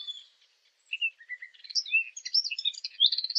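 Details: Fig bird call played as a hunting lure: a few soft whistles, then a building stream of high, jumbled chirps and buzzy twitters that grows louder toward the end.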